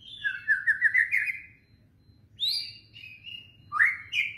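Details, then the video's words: Murai batu lure song in kretetan style: a quick rising series of five bright chirps, a pause, then a high whistled phrase stepping down and a final upswept whistle. "masteran pancingan kretetan burung murai batu gacor"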